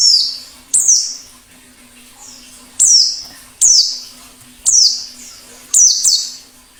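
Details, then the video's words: Wild white-eye plengi ngalas song to stimulate singing: sharp, high descending notes, sometimes doubled, spaced by about a second, with faint echo-like notes between and a low steady hum. "Suara plengi ngalas || perangsang bunyi cocok untuk masteran pleci dan pikat burung pleci liar"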